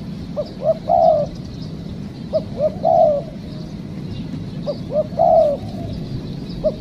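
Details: During a trapping outing that caught a wild spotted dove, the dove's phrases of two short coos and then a longer, slightly falling coo repeat roughly every two seconds, about three full phrases, with a low rumbling background.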